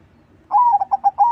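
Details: Crossing-style zebra dove song used as a lure for other doves: a mellow, low coo begins with a long note, runs through several short pulsing notes and rises into a held closing note.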